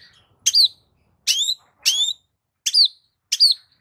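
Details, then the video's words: Cendet, the long-tailed shrike, giving lure sounds used for training songbirds: five sharp harsh notes, each a high click sliding into a down-curving whistle, spaced roughly 0.7 seconds apart in quiet surroundings. "CENDET SEMAKIN BAYAK VARIAN KICAU DENGAN SUARA PANCINGAN FULL ISIAN MEWAH INI"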